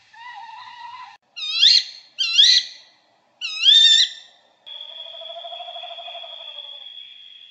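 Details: Tawny owl in the UK: a steady hooting note, three sharp rising-then-falling alarm shrieks, then the less often heard long, wavering, trembling call. No other sounds.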